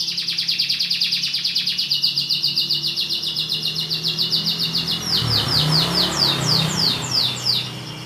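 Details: Canary song: a rapid high trill with about three to four notes per second, shifting to quick sweeping notes repeated in a series, over a low humming background and some faint noise.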